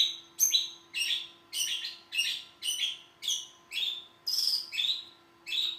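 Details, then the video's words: Long-tailed shrike repeating loud, grating notes that slur downward, some with a thin whistled overtone, close to two per second for several seconds; a continuous low hum lies beneath. "burung cendet"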